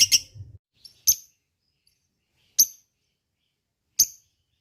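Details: Lovebird lure call used to prompt other lovebirds to reply: a short opening flurry, then three lone, sharp, very high chirps separated by long silences.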